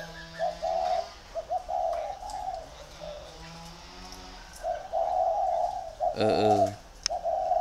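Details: Low, burry coos from two competing decoy spotted doves come in clusters separated by quiet gaps, with a brief human sound near the end.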